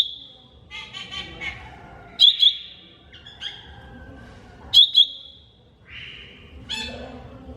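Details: Greater green leafbird, mini type, training song: chattering buzzy notes and sliding whistles, with emphatic paired chips twice, then a rough rasping phrase near the end.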